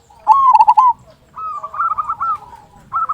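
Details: Zebra dove of a local type giving a big kung song meant to provoke other doves into singing. A loud burry trill is followed by softer rolling coos, then another phrase begins.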